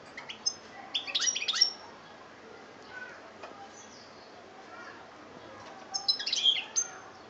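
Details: European goldfinch, Algeria, 2013: a short burst of high twittering notes near the start and another near the end, separated by quieter background murmur.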